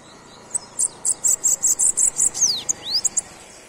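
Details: Singing sibite, or bananaquit: a quick run of piercing high notes, then two clear downward-sweeping slurs and a few closing ticks, over a soft hiss of background noise.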